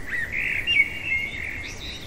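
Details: Common blackbird at night giving one drawn-out fluty phrase, a smooth warbled whistle that wavers slightly and finishes with a brief higher squeaky tail, against soft background noise.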